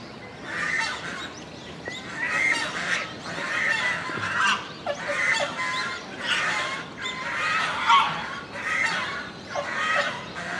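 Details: Swan goose calling at a Japanese zoo park, recorded in October 2018: a series of loud, harsh, nasal honks repeated roughly every second, some overlapping as if from more than one bird, over steady background hiss.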